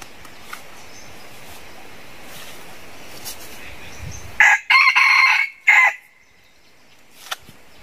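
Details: Red junglefowl from a flock of more than 100 wild chickens raised from two jungle chickens; after several quiet seconds of faint forest background, one loud, harsh, strained crow lasting about one and a half seconds breaks through, briefly interrupted, then fades.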